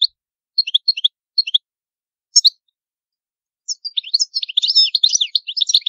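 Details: European goldfinch singing the traditional Palermo Sicilian song: a few spaced double chirps, then a rapid, dense tumbling warble of high liquid twitters, in a noise-free recording meant for tutoring young birds.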